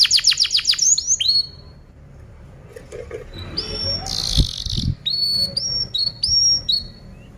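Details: Canary song played as a master for other birds to learn: a fast descending trill series, a pause with low thumps, a short buzzy burst, then clear whistled notes repeated about twice a second.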